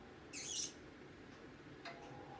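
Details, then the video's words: A green ringneck parrot gives one loud, harsh, high-pitched screech lasting under half a second, then a faint short note over a quiet background hiss. "Loud parrot chirping sound"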